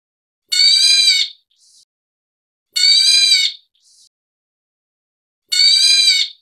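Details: Black bulbul of the white-headed form (Hypsipetes leucocephalus nigerrimus) gives three harsh, nasal, cat-like mewing calls, each under a second, about every two and a half seconds, with a faint softer note after two of them.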